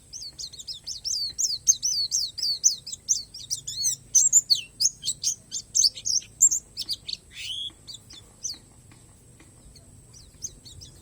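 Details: Palas Borneo Oriental white-eye song with natural fill, made of dense chattering runs of high chirps, then sharper swooping and descending notes, fading to near silence over the last few seconds.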